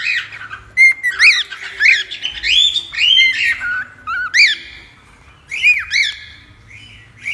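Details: A cockatiel calling, played to tame another cockatiel: loud, rising-and-falling arched chirps in small clusters, with a short sliding whistle and a quieter gap midway.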